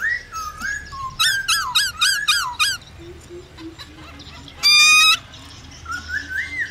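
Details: Black-throated laughingthrush singing to spur wild-caught birds: sliding whistles, then a rapid set of loud, looping whistled notes, a harsh buzzy burst, and quiet low notes before a final rising whistle.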